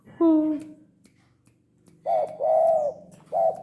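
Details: A tame, frequently calling spotted dove. A brief harmonic sound opens, then after a pause comes a short note and a long arched mellow coo, with another short note following.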